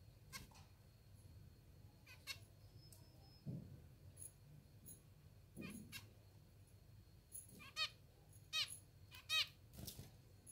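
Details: Hungry pet zebra finches being hand-fed, begging: scattered short nasal chirps, then four louder, harmonic-rich, slightly rising calls in quick succession near the end, with soft thumps and handling noise indoors.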